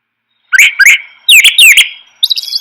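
Brown Thrasher song: a rich, varied run of phrases, each given twice — a pair of rising notes, then a pair of falling slurred whistles, then a higher scratchy phrase.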